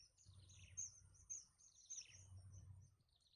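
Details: Chicks in a nest begging as the mother brings food, biting at her; sharp, very high peeping notes and sliding squeaks rise in two eager bursts over a soft low rumble.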